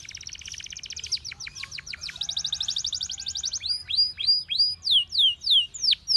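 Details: Canary song used for training canaries to sing: a fast buzzy trill, then a run of steep downward-swept whistled notes repeated about three times a second, ending with brighter, higher falling slurs.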